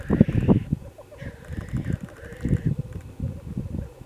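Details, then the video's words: Black grouse at a site in mid-Wales, very early on a gloomy morning on 17 February 2018, give a low, rolling bubbling that pulses steadily throughout, broken by a couple of drawn-out, higher hissing notes. "Black Grouse"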